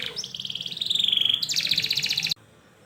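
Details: Canary singing a fast rolling song used to prompt young canaries to learn; dense repeated trilled notes around 3–5k, a gliding sweep, then a quicker buzzy roll that stops abruptly, leaving near silence.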